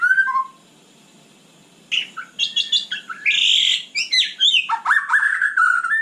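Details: White-rumped shama singing at night, a cage bird: two soft whistles, a pause, then a fast rich outpouring of chattering notes, harsh rasps and sweeping whistled slurs.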